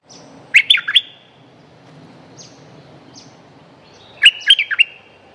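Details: Streak-eared bulbul, strong-voiced territory holder: two separate bursts of three or four sharp, bubbling chirps roughly three and a half seconds apart, faint low hum between.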